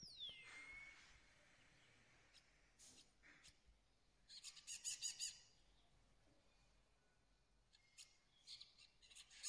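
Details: Moroccan starling singing: a high whistle slides down at the start, then scattered buzzy, rattling bursts and thin high notes with quiet gaps, against a faint background hiss.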